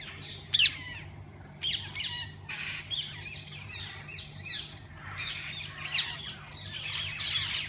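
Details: Parakeets of various kinds in a walk-in aviary at a parrot zoo: scattered harsh squawks and buzzy chattering bursts from several birds, one sharp loud call near the start, a low hum beneath.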